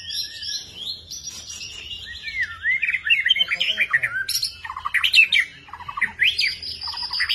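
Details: Kept long-tailed white-rumped shama singing a rich, changeable medley of whistles, twisting slurs and short chattering notes, some phrases rising sharply, over a soft low hum.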